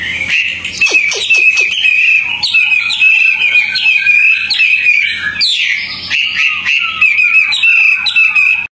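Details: Tame Hwamei singing outdoors, very active: loud sustained warbling around a steady high pitch with rapid whistled phrases, several sharp downward-sweeping notes early on, and a continuous low hum beneath.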